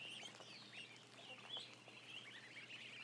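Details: Roughly 1,000 ducklings filmed by a live cam: a constant crowd of thin, high chirps and rising whistled peeps overlapping without pause.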